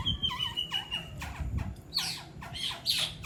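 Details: Two songbirds in a song battle show off their best competition song material: clipped, sweeping whistles and squawky notes repeated in quick bursts, over low background rumble.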